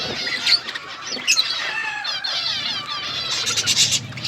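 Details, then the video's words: Winter-morning budgerigars keep up a busy, overlapping warble of high chirps and quick rippling trills, with sharper squeaky notes bursting out near the end. "Budgies enjoying winter morning birds chirping sounds"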